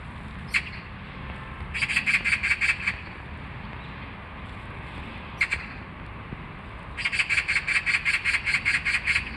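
A magpie gives harsh, rattling chatter in quick bursts of five to seven notes, with single sharp squawks between them over a low background rumble.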